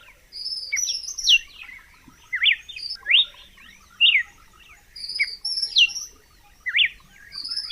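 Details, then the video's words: Red-cowled cardinal singing steadily, original sound with no effects: repeated bright whistled phrases of sharp rising and falling notes about every second, alternating with softer chattering elements. "Som limpo do canto🎵 do Cardeal do Nordeste"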